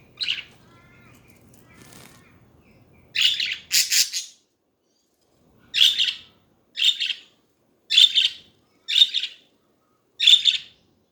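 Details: Budgies chatting: a faint opening chirp, then a double burst of harsh, scratchy chirps followed by five loud single calls spaced about a second apart, each a short buzzy squawk with silence between.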